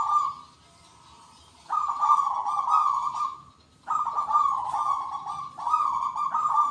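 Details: Local zebra doves, singing actively with the big 'kung' voice and answering one another. A rolling, trilled coo phrase starts after a quiet pause, breaks briefly, then resumes as a long vibrating coo with slight pitch steps.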